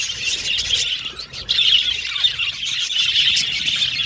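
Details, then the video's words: Budgies chirping and communicating, overlapping scratchy warbles and squeals in a high band, with a brief quieter gap near one and a half seconds before the chatter resumes. "Budgies Chirping Sound"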